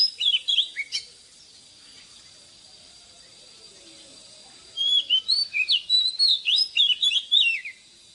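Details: Wild-caught oriental magpie-robin giving its morning song, used to train cage birds. A burst of sharp whistles opens, then a long hush with faint background murmur, then a fast string of liquid slurred notes.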